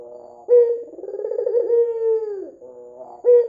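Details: Red-eyed white ringneck dove calling actively, a lure for other doves: a sharp-onset low coo opens into a long vibrating purr, a sustained tone and a falling tail, then a quieter murmur and the next coo begins.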